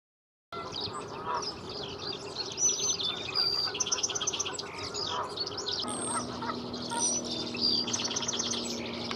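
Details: Fox sparrow singing at Mather Lake, Mather, California, on 23 March 2022: bright, sweet whistled notes in a busy run of high chirps, over a steady low mechanical hum.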